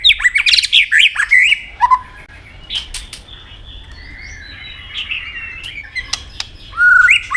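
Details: Competitive singing by a white-rumped shama: a loud opening of tumbling warbled whistles, quieter sparse notes with wing flutters, and a rising whistle at the end.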